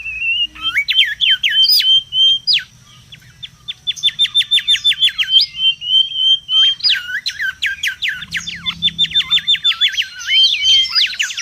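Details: Mangrove whistler singing loudly in the wild, a lure and tutor recording: level whistles, then long rapid runs of steep rising-falling strokes and warbled notes over about eleven seconds.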